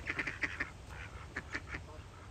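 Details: Ducks quacking while feeding: a quick run of short nasal quacks in the first half, then a few spaced, louder quacks, over a low steady background rumble.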